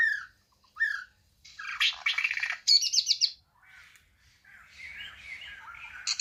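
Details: Song of a white-rumped shama: a pair of short whistled notes, then harsh buzzy chattering bursts and rapid rattled trills, closing with softer warbled whistles.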